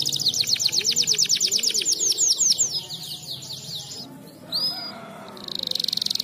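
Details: Canary tutor song for training: a rapid, evenly repeated high trill for about three seconds, then quieter twittering, one clear upswept whistle, and a closing buzzy fast trill, over continuous low background hum.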